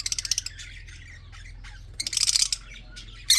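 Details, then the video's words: Budgerigars in a breeding setup giving dense, rapid chattering chirps in two quick bursts, with softer warbling between and a loud harsh note at the end, over a constant low mechanical hum. "red eyes australian parrot"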